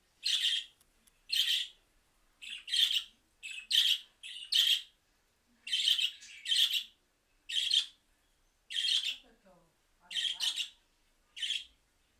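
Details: Budgerigars responding to a mobile phone recording give harsh, scratchy contact chirps in short bursts, about one every second, high-pitched and grating, with brief pauses between.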